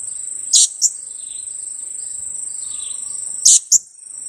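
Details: A young blue-crowned hanging parrot, two weeks old and used to lure wild birds, utters two shrill paired kiak-kiak bursts about three seconds apart against constant cricket-like buzzing.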